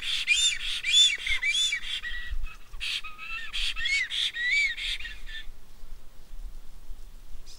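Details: Black stork calls while feeding its young: harsh, rasping squawks with a whistled edge, repeated quickly about every half second for five seconds, then fading to near quiet with low rumbling background noise.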